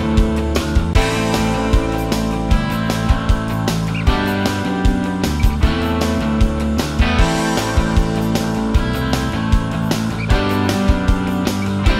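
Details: Steady rock music with guitar and drums throughout; no animal voices can be picked out.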